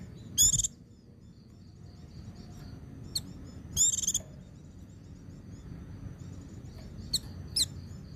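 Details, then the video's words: Training recording of white-eye 'ngecir sambung ngalas' song meant to excite other white-eyes: two short buzzy high trill bursts about three seconds apart, sharp chips between, faint continuous high twittering behind, low rumble underneath. "Suara Burung Pleci Ngecir Sambung Ngalas"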